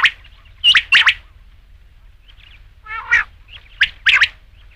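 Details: Rain quail (batair) giving abrupt doubled notes with long pauses between, plus one rougher, buzzier note partway through; otherwise quiet.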